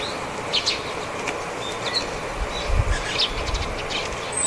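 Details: Flock of Japanese tits coming down to take sunflower seeds, giving contact calls rather than spring song: short, high, scattered chirps and buzzy notes, wingbeats audible at close range, over a steady low rumble of traffic or wind.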